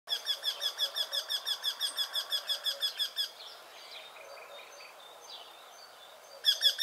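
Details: Eurasian wryneck at sunrise giving its whinny-like call: a fast run of nasal, ringing notes, about six a second, breaks off and starts again; faint chirps from other birds fill the gap.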